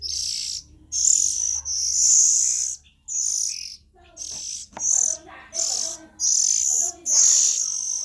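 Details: Oriental magpie-robin nestlings calling with rough, hissing bursts of varied length, plus faint chattering notes in the background toward the end.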